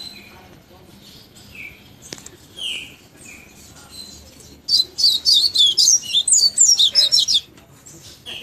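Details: Tawny-bellied seedeater song: after scattered thin slurred whistles, a rapid high twittering run of varied chirps lasting about three seconds, over steady background noise.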